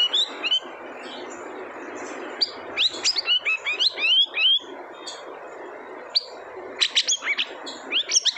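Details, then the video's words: Siri-siri giving a busy, irregular stream of high chirps and short sweeping whistles, some in rapid clusters, separated by brief quieter gaps. "Suara Unik Burung Siri - Siri"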